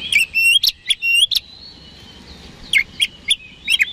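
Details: Oriental magpie-robin song used to trigger responses from rival birds: clear rising whistled phrases with sharp accents, a long held thin note, then four spaced, crisp chirps.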